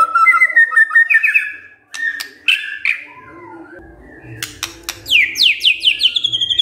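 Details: White-rumped shama stirred by a lure recording: warbled whistles and clicks, then a rapid series of descending whistled notes repeated in quick succession.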